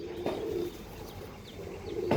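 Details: Andhra line pigeon giving brief, low coos, one near the start and another at the end, with quiet gaps between them.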